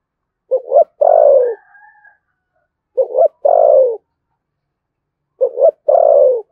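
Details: Thổ sấm-voiced spotted dove from Đồng Nai, Vietnam, giving thúc gù cooing: three evenly spaced phrases of two brisk notes followed by one long downward-sliding coo, with a faint higher trailing note after the first.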